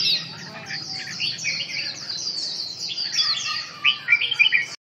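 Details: Red-whiskered bulbul: continuous high chattering twitter, rising into sharper, clearer whistled chirps near the end before stopping abruptly.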